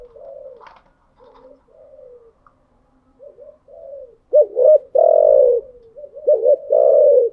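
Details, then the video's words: Morning spotted dove: scattered soft coos and a brief higher chirp at first, then two loud phrases of clipped double notes each ending in a long rolling coo. "Tiếng chim gáy buổi sáng"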